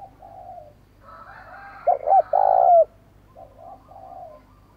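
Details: Spotted dove coo phrase for decoy training: short paired hoots, then a long low coo gliding down at the end. Quieter coos come before and after, over a faint rough background call.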